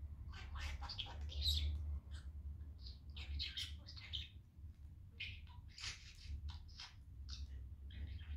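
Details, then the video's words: Male pet budgerigar at home on a sunny day, playing and in a cheerful mood while talking: dense run of quick chattering, scratchy syllables and short bright chirps, nearly continuous, with a steady low indoor hum underneath. "Talking Budgie having fun on a sunny day!"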